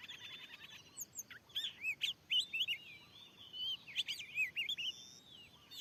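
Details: White-rumped shama, wild, responding to a lure in newly cleared land: rapid ticking chatter opens, then looping whistled notes and scratchy phrases in quick bursts, over faint background noise.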